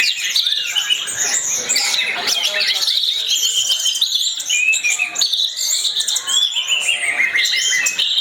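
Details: Orange-headed thrush (anis merah), a champion bird in full 'gacor teler' song, used as a lure to make other kept birds sing: a dense, unbroken stream of high, varied whistles, slurred rising and falling phrases and quick trills.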